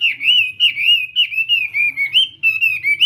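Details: Morning practice song of a Chinese hwamei: a steady stream of short, rich, warbled whistles, each slurring up and down, delivered about three per second without a break.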